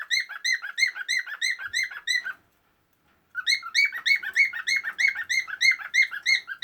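A male cockatiel sings to a female, a fast run of bright, harmonic chirps about three per second.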